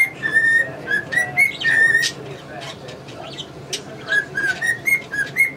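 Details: Male cockatiel kept with English budgies gives a short whistled melody. A brief burst of notes is followed by a pause filled with budgie chirps, then the clear whistles return.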